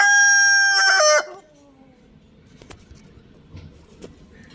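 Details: Young rooster giving a loud crow: a bright, rich note held evenly for about a second that breaks and falls steeply at the close. Faint bird notes and soft background noise follow.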